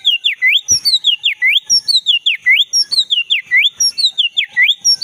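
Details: Oriental magpie-robin, black-breasted form, in full song in the forest, used to prompt a silent caged bird to sing. A looping whistled phrase repeats about twice a second, with dipping and rising notes.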